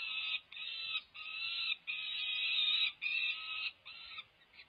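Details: Five-week-old peregrine falcon young at a Berkeley, California nest beg from their mother during feeding, 18 May 2023. Grating screams repeat in quick blocks, roughly five in under five seconds, fading toward the end.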